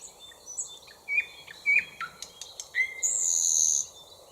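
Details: Thrush nightingale song, built from repeated whistles and clicks: short rising whistles and sharp clicks, then a loud, sustained high trill lasting almost a second, on a quiet background.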